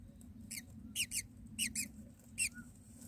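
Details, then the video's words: Baby mynas begging in their nest as the mother brings food: bursts of thin, high squeaks, some doubled, coming in quick irregular pairs over a low background hum. "myna feeding baby"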